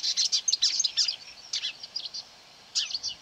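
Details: Marsh warbler attacking a mobile phone playing its voice, near quarry workings in May 2020: burst of hurried high chirps and scratchy notes, a pause, then another short phrase.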